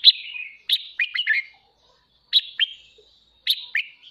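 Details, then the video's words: Caged red-whiskered bulbul, singing at morning to stimulate and train birds' voices: three brisk phrases of sweeping whistles, each starting with a sharp note and falling away. "Chào mào kích bổi hót sáng /Luyện giọng chào mào"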